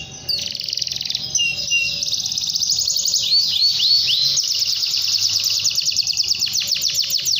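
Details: Long, unbroken canary song directed at a rival: bright high trills, a string of looping swept notes mid-phrase, then quick descending pulsed notes repeated several times a second, faint hum in the background.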